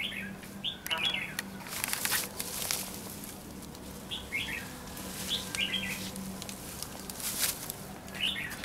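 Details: Decoy red-whiskered bulbul at a bush trap in Lương Sơn, Hòa Bình, calling to draw in wild birds; brief warbled whistles recur every second or two amid loud rustling and fluttering wing noise and a low hum.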